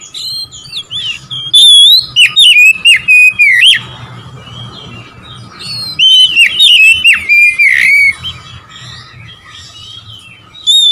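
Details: Song of an Oriental magpie-robin meant to provoke rival birds: two loud bursts of fluid whistles and clipped notes separated by quiet scratchy warbling, with a closing high whistle.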